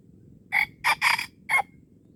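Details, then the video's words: Abrupt four-part crow from a wild red junglefowl during luring in Aceh's Darul Kamal. Two short harsh notes, a longer buzzy third, and a clipped final note span just over one second. "AYAM HUTAN Aceh"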